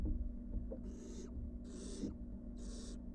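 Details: Returning from the porch to their box, wild barn owl nestlings make three breathy, rasping hisses roughly every 0.8 seconds against a steady low hum.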